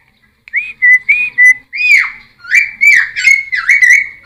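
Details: Cucak timor whistling song, intended to draw in wild birds and train captive ones: short, level whistled notes, then louder swooping whistles repeated about every half second.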